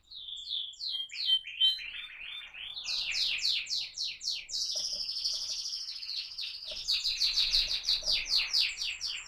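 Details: AF-type canary delivering a rolling song: varied chirps and short whistles give way to fast repeated downslurred notes, then a sustained buzzy trill and more rapid slurred phrases, with faint low knocks in the background.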